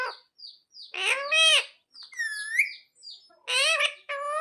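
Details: Trained talking parrot saying "mummy papa": soft chirps, then a strong two-part spoken-sounding phrase, a high swooping whistle-like note, and closing harsh syllables.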